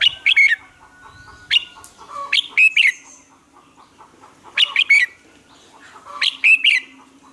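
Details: A Red-whiskered bulbul practising its fiery morning song delivers brisk, energetic phrases of crisp whistled notes, about one burst per second or two, with quieter chips filling the gaps.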